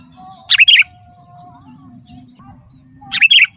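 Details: Gacor song of a sooty-headed bulbul, played to call wild bulbuls and to train caged ones: two rich warbling bursts about two and a half seconds apart, with a steady thin whistle in the background.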